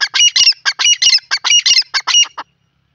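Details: A male grey francolin's loud, grating, ringing call: a fast burst of harsh, strident syllables over two and a half seconds, ending abruptly.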